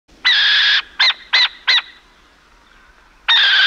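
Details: A burrowing owl (pequén) over Pirque, Chile, gives harsh, hissing screeches: one long rasp, three short bursts in quick succession, then another long rasp.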